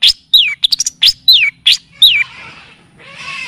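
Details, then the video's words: {'caption': 'Long-tailed shrike (cendet or pentet) in a tutoring and lure recording that mixes in kapas tembak and cililin styles: sharp high chirps and rapid descending slurred whistles, fast and irregular, then a soft hiss.'} "Masteran dan pancingan bunyi burung cendet / pentet"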